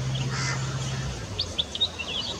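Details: Vernal hanging parrot, a small parrot regularly seen at a birding hide in Dandeli, India, giving a quick run of thin, high squeaky chirps, about six in a second, over a low steady hum.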